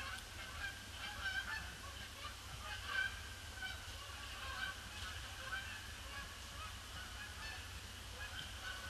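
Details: Huge flock of Canada geese circling over a pond before landing on grey Boxing Day, 26 December 2015; loud, honking calls pile up in an irregular, nonstop chorus, individual honks roughly every second or two, above a low steady rumble.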